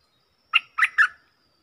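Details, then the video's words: Stripe-throated bulbul giving a compact phrase of three rich, gurgling whistles in quick succession, each note slightly lower and fuller, heard close with no background. "เสียงต่อนกดอกแตงEp.99 เปิดดอกเน้นๆ"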